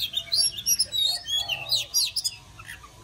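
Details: Oriental magpie-robin (chòe than) singing to welcome summer: a rapid, varied run of bright, high whistled phrases and chirps with sharp up-and-down slurs, delivered almost without pause and trailing off near the end.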